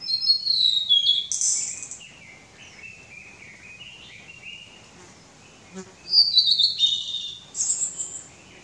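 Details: Blue-and-white flycatcher singing close by on a mountain in summer sings two clear, high whistled phrases, each sliding down from sharp notes into a buzzy ending; quieter warbling fills the gap.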